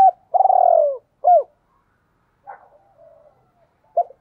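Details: Decoy spotted dove giving a 'hai hậu' style coo: a long rolling buzzy note sliding downward, then a short arched hoot, followed by soft murmuring notes and one more clipped hoot after a pause.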